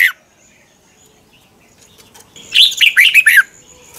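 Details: Red-whiskered bulbul morning song, recorded as a training and decoy song for captive birds: one quick burst of slurred, bubbly notes near the end after a short high note and a long quiet stretch.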